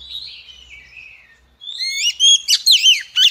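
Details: Singing female Oriental magpie-robin, used to trigger males into song: a soft, wavering, descending whistle, then a quick series of loud, swooping whistled notes and trills.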